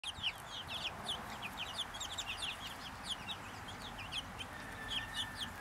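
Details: A happy little bunch of Brahma chickens giving many short, high, thin peeps in overlapping rapid chorus, bright rising chirps tumbling continuously over a steady hiss of background noise.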